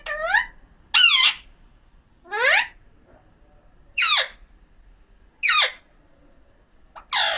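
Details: Alexandrine parakeet, a pahadi parrot, giving harsh, rasping squawks with rich harmonics. About five separate calls, each roughly a second apart with pauses between. Indoors, with no other sounds.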